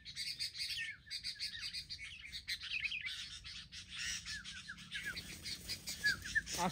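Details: Sooty-headed bulbuls, wild birds attacking as a group before being brought down: busy chattering from several birds, with many short downslurred whistled notes, ending in one loud falling whistle, against a soft low rumble.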